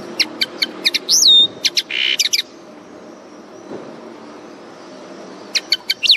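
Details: Common linnet twittering song: rapid high chirps, a bright downslurred whistle, a harsh buzzy note, more chirps, a pause, then a final flurry of quick notes.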